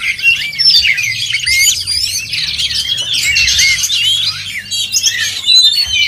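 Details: Oriental magpie-robin singing at a songbird competition, caged: dense stream of bright whistles, quick upslurred and downslurred notes and chattering trills, nearly nonstop, with faint low rumble underneath.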